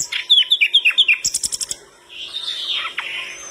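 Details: Energetic flycatcher song drawing replies from other birds: a rapid string of crisp falling notes, a burst of very high rattling ticks, then a softer drawn-out warbled phrase.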